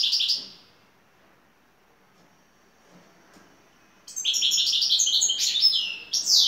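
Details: Şakşaklı-style song of a top-class European goldfinch from Turkey: a short high chirp, a long silence, then a lively run of rapid, tinkling, high-pitched notes.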